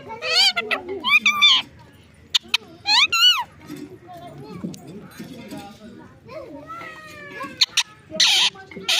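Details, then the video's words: Pet parrot, a mithu, talking: several loud harsh squawky bursts with rising and falling bands, separated by quieter murmuring and background voices. "my cute little mithu is talking"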